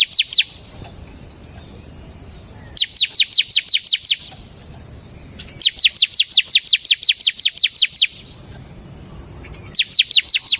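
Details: Ciblek (bar-winged prinia) semi gacor song for lure and masteran use, high chirps sweeping downward in quick regular runs of about eight to twelve, with quiet gaps between bursts.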